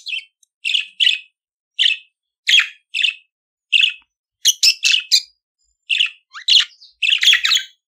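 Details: Budgerigar singing for teaching pet budgies: a series of short scratchy chirps at about half-second intervals, growing into tighter chattering clusters with a rising slurred note near the end.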